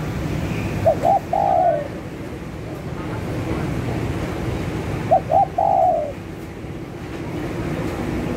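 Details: ['Lure call of a spotted dove: a phrase of two brief notes and a long falling coo, repeated after about four seconds, with a steady low hum beneath.']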